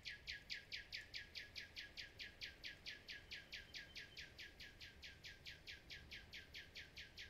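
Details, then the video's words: Common nightingale delivering a long, steady rattle of about thirty identical sharp notes, roughly four per second, loud and even throughout. "Nightingales Reign"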